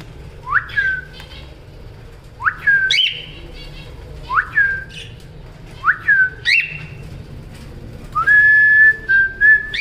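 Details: Pet cockatiel in a home cage alongside a newly hatched chick; clear whistled calls, each sweeping sharply upward then holding a steady tone, repeated about every two seconds, ending with a longer level two-part whistle.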